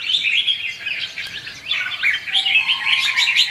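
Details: Red-whiskered bulbul lure song for trapping, fighting-song style: busy overlapping chirps and liquid whistled phrases, with a lower, steadier whistled line joining in the second half.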